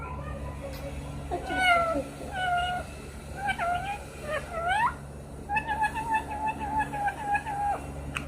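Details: Green parrot that sings, whistles and speaks giving a run of meow-like calls, quick rising whistled notes, then a long steady nasal tone with fluttering pulses, in a quiet indoor room with a constant low hum.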